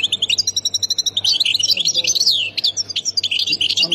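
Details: European goldfinch song in the Khemis Miliana sector style from Ain Defla, Algeria: continuous rapid, tinkling high chatter mixing clipped notes, descending slurs and quick trills with no pause.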